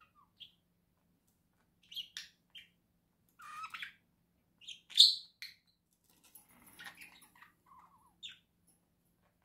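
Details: Pet budgerigars in a home setting, November 2024: sparse sharp chirps and squeaks scattered over several seconds, one loud clipped note near the middle, mostly quiet between.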